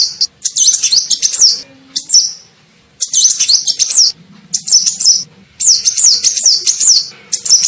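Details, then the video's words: Sunbird, called kolibri ninja locally, giving a lure call to attract birds: clusters of thin, rapid, zigzagging high notes in repeated bursts with brief quiet gaps. "SUARA PIKAT KOLIBRI NINJA"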